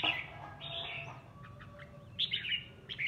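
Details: Caged red-whiskered bulbul kept at home, singing in a sparring contest to ease boredom; short bright warbled phrases near the start and again at the end, with quiet low background hum.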